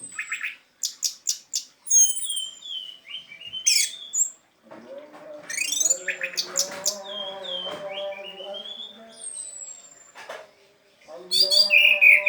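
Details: ['Orange-headed thrush teler song used as bait for thrushes that will not sing; fast clicking notes and high whistles, then a long varied warbling passage over a low humming background sound, ending with rapid loud chattering.']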